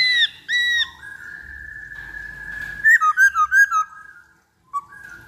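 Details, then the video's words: Black-throated laughingthrush song played as a lure: two high whistled notes, then a long steady whistle and a quick run of seven bright rising and falling notes, followed by a short low whistle. "Pancingan Poksay Hongkong Paling Ampuh"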